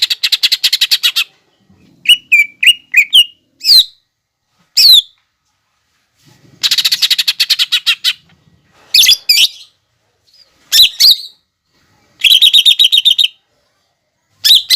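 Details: Masteran song of a lesser green leafbird for training birds, packed with imitations of fighting sparrow, lovebird and hummingbird: rapid chattering trills alternating with sharp squeaky notes and short rising whistles.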